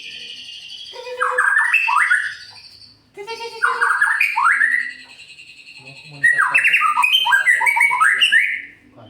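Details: White-rumped shama (Murai Pastol) in full lively song, used as a lure to stir other shamas into singing: three bursts of rich, varied whistled phrases, sliding up and down and separated by short pauses, over a steady thin high tone.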